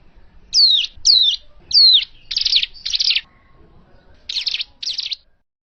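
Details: Hill prinia call used as a trapping lure: three high, down-slurred whistled notes followed by four buzzy, scratchy chirps in evenly spaced bursts, with brief gaps and a quiet background.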